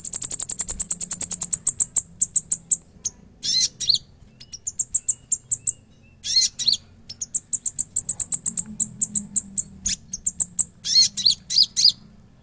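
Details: Konin in lively non-stop song packed with mixed phrases: long rapid series of thin, very high ticking notes broken by brief raspy bursts, then the ticking run resumes.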